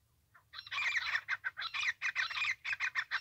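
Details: Francolin call, used in trapping: loud, harsh, grating notes that start abruptly and repeat rapidly in a rough, rhythmic series over about three seconds.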